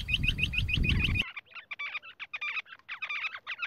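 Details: Rock bush quail: a quick series of sharp, high chirps repeated several times a second over low rumbling noise, then breaking into a jumbled chatter of short, ringing notes.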